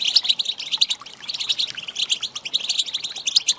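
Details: Female European goldfinch twitter, given to encourage males to sing, heard as a continuous run of sharp, high, metallic chirps with a faint dip in the middle.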